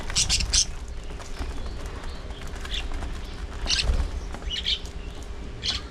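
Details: Aviary flock of budgerigars set up for breeding: opening pair of shrill chirps, then sparse scattered squeaks every second or so, with faint wing flutter and low background noise.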